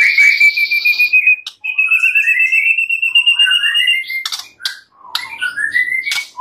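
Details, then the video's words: White-rumped shama singing on a master training track full of fill phrases: long drawn-out clear whistles sliding slowly upward, interrupted by sharp clicking notes, then rising whistled phrases resuming, with no other sounds behind. "Masteran murai batu full isian suara jernih || Pancingan kicau murai batu agar gacor"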